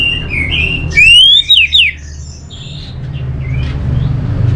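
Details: Orange-headed thrush song. A loud, rising whistle slides upward, two sharp, twisting notes follow, and then quieter warbling continues over faint background chatter.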